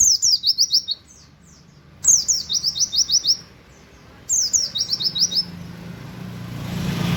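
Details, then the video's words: White-eye giving canary-like 'wit wit' imitation, heard as three bursts of quick, high, slurred chirps, each with five to eight notes, spaced about two seconds apart. A low rumble rises toward the end. "pleci nembak wit wit kenari"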